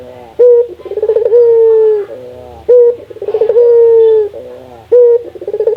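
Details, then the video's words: Local Indonesian dove, known as puter, calling steadily: low cooing phrases about every two and a half seconds, each a short clipped coo followed by a rolling lead-in and a long, slightly falling coo. "Suara burung puter lokal gacor, merangsang burung puter agar rajin bunyi"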